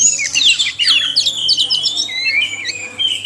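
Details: Oriental magpie-robin song from a male and female pair, played to encourage reluctant captive birds to sing: quick rising and falling whistled notes and squeaky flourishes, then a lower drawn-out whistle toward the end.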